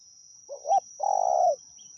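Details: Single phrase from a spotted dove during decoy calling at Pa Roi: a rising short coo then a sustained rolling coo, with a constant high whine behind.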